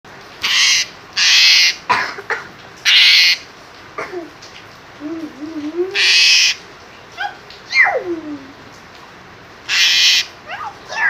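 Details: Asian pied starling giving harsh, broadband screeching bursts, about half a second each, several in a row, mixed with short rising and falling whistled notes and squeaky trills between them.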